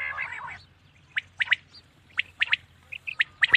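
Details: Common quail calling at night: sharp, clipped three-note phrases, quick and evenly spaced, repeated about once a second. A brief harsher, rasping sound opens the recording.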